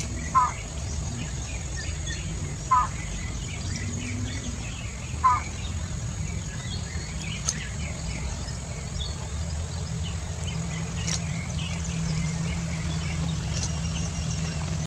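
Broad-billed Motmot giving three short, hoarse nasal honks about every two and a half seconds, over a steady low rumble and faint insect and bird chatter.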